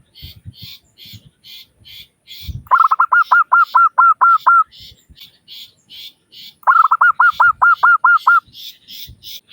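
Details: Local zebra dove singing to prompt other doves to call. Two phrases of rapid ringing notes that ease into a steady beat, set against a steady background of short, high, buzzy pulses repeated about twice a second.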